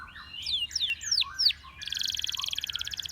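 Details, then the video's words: Canary singing: a run of sharply downslurred whistled notes, then a fast, even, buzzy trill of rapid pulses high in pitch, with a faint low hum underneath. "Canary Singing Bird Sounds"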